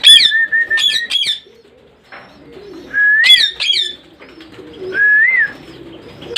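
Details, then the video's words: Parrot indoors giving loud, sharp squawks in quick clusters, then drawn-out rising-and-falling whistled notes. Quieter soft chatter sounds between the louder calls. "Sounds of parrot"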